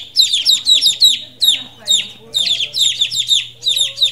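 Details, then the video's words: Two-day-old chickens, newly moved into a brooder with many other chicks, give high, thin peeps that drop in pitch. The peeps come in quick clusters, with faint low hum and rustling beneath them. "The sound of the chicks"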